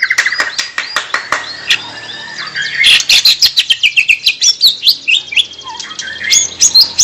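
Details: White-rumped shama song, busy chirping and twittering with rapid repeated clicks, sharp whistled notes and a dense run of pulsed phrases in the middle.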